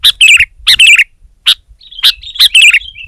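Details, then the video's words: Sooty-headed bulbul singing against a rival: rich gurgling phrases with a falling slur, a lone sharp chirp, then a thin drawn-out whistle leading into more warbled notes. "Suara Burung Kutilang Gacor Menekan Lawan Terbaik"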